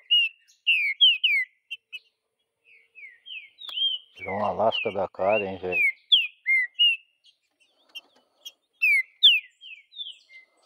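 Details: Green-winged saltator singing in the wild, with repeated loud slurred whistles throughout, while a person's voice talks briefly in the middle.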